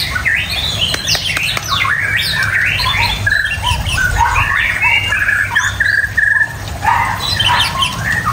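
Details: Busy white-rumped shama song of varied whistles, chatters and slurred phrases, with several short clear notes repeated in the middle, over a low rumbling hum.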